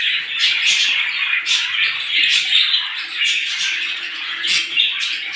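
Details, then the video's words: Small birds chirping in the morning, a dense, continuous chorus of high, bright twitters and squeaks with frequent sharp, piercing notes overlapping throughout. "صوت العصافير في الصباح"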